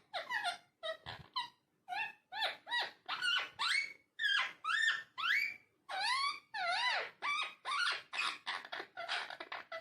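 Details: Talking parrot indoors chattering almost nonstop, a fast string of varied tonal syllables, rising, falling and wavering whistles, roughly two per second like babbled words.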